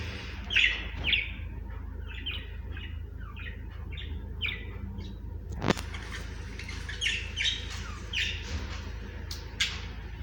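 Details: Budgerigars chattering with scattered bright chirps and warbles from several birds over a constant low rumble, with a sharp click near the middle.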